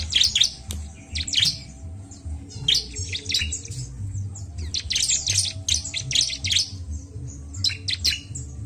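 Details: Bar-winged prinia pouring out clusters of thin, high chirps and buzzy trills in irregular bursts, with a quiet low hum underneath.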